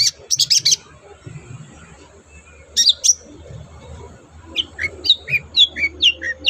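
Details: Long-tailed shrike song meant to set captive birds singing: brief bursts of scratchy high notes separated by pauses, ending in a rapid series of about ten short slurred whistles, low hum in the background.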